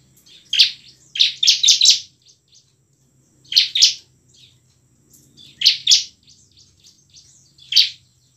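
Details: Energetic bar-winged prinia song in ngebren and nembak style, meant to stir reluctant prinias into singing and fighting. Clusters of three to four rapid shrill chips alternate with short pauses and softer twittering.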